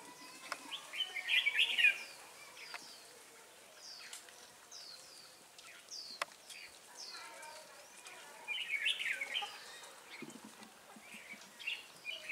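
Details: Red-whiskered bulbul lure bird singing to attract wild birds into a trap at Ba Thá, Vietnam, on 18 December 2016: rapid bright chirpy phrases and slurred notes, louder bursts early and near the end, other birds calling faintly.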